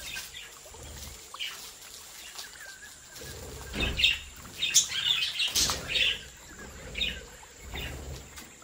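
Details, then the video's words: Captive-bred budgerigars in an aviary. Wing flapping is heard alongside a busy middle stretch of overlapping high chirps and chatter, which then thins out to sparse tweets. "Sonidos relajantes para Periquitos"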